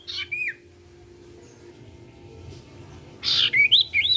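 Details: Common iora (sirtu) song played to make other sirtu birds sing: a short whistled phrase with a falling slur, silence, then a harsher burst followed by rapid rising and falling whistles over a low hum.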